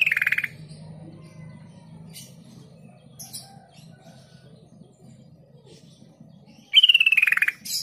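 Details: Sooty-headed bulbul song played as a lure to make silent bulbuls answer within seconds. Two brief buzzy, rapidly pulsed phrases open and close the recording, each sliding downward, with a quiet gap between them.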